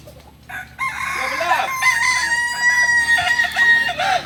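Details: Kokok balenggek rooster crowing at a joint practice session in Solok: a long, steady drawn-out crow ending in a series of short stepped syllables, with other roosters crowing faintly behind.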